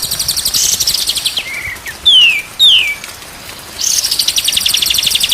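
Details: Shama song from a training recording meant to make birds sing vigorously: a short low whistle, then two bright descending slurred whistles, bracketed by a loud, rhythmic, high-pitched pulsing drone before and after.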